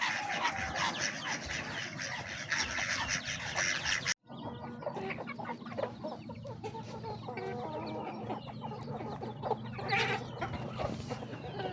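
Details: Flock of chickens eating their feed, steady dense pecking and scratching clatter mixed with low murmuring clucks, a brief break partway through.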